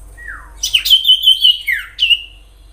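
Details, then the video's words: Common iora song for luring other ioras: a long falling whistle, then a run of five clear high whistles, a downward slur and one final bright note. "Sirtu gacor nyiul asli suara Alam cocok untuk pancingan sirtu ombyokan,agar cepat Bunyi"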